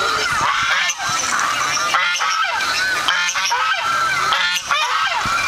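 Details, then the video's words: A flock of geese responding to hearing their own voices played back, giving a dense, continuous chorus of loud, nasal honks that overlap without pause, with brief dips between bursts of calling. "When Geese Hear Their Own Voice"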